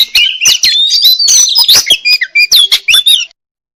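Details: Oriental magpie-robin, the murai kampung or murai cacing, singing a quick, busy phrase of twisting whistles, squeaks and clicks, then falling silent.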